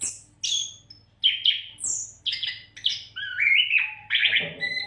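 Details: Oriental magpie-robin, locally kacer, singing without pause to train other songbirds; very high thin whistles and sharp downslurs separated by short gaps, then a sustained warbled phrase near the end, with a low steady hum.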